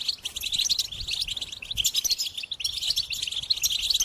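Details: A goldfinch sings a dense, high-pitched twitter of quick chirps and tinkling notes that rises and falls in short bursts, with brief dips between phrases.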